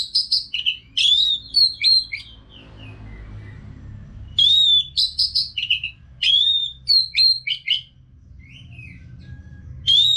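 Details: Orange-headed thrush singing as a training sound for caged birds: clear, loud whistled phrases of high slurred notes and sharp chips, delivered in bursts separated by short pauses.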